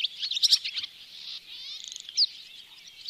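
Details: Barn swallow calls at a bird hide in Oostvaardersplassen, September 2016, recorded on a Panasonic Lumix GH4: a quick flurry of sharp, squeaky chirps, then softer rolling twitters and a single clear rising whistle-like note.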